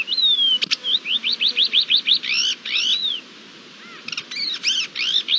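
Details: Thekla's lark singing during courtship display, 28 March 2022: a long falling whistle, then a rapid series of about ten rising chirps, arched trilled notes, a brief pause and further looping whistled phrases.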